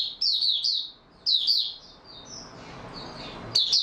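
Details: Oriental white-eye singing in stable form, recorded 28 February 2022: high, sweet rapid twittering phrases in two bursts under a second each, a softer thin warble in between, then a final phrase starting.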